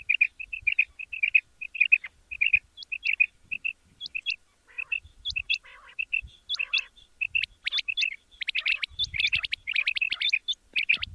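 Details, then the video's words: Quail (batair) calling in the morning, used for hunting: rapid series of short chirped notes, some with sharp upward flicks, repeated in quick bursts over several seconds with faint low thumps in the background. "latest chukion wali awaz subha k liye | بہت ہی اچھی آواز صبح کے لی"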